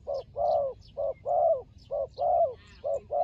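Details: Turtle dove in a fighting context, alternating short and longer low coos, each long note slightly arched and falling at its end, evenly paced with faint high chirps behind.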